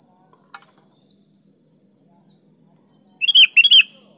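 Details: Sooty-headed bulbul singing: one short tick near the start, then near the end two loud, quick, bubbly whistled phrases.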